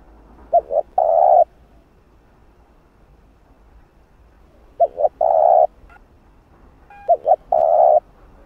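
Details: Repeated spotted dove calls for decoy training, three phrases of two quick coos and one long coo, spaced about three seconds apart, with faint clicks.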